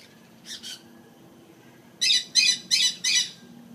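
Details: Golden conures at Jurong Bird Park give two soft, faint notes, then four loud, harsh, grating squawks in quick succession, about three per second.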